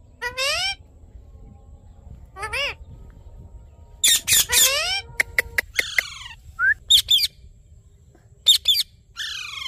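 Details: Rose-ringed parakeet giving shrill upslurred screeches with bright harmonics, spaced by pauses, then clusters of harsh squawks, clicks and falling downslurred notes, ending in rising squeals.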